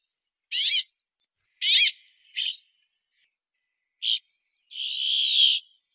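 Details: Brambling song: several short, harsh, buzzing notes, then a drawn-out wheezy drone at the end, clean and without background noise.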